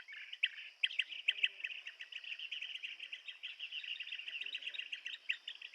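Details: Blue-tailed bee-eater calls in a dense run of rapid, chattering trilled notes that overlap almost continuously for several seconds, with louder bursts near the start.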